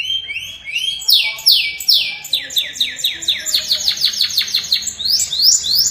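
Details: Canary singing a unique, long-lasting song with rolls: a fast series of high whistled downward sweeps, repeated about three times a second, running into a rapid rolling trill.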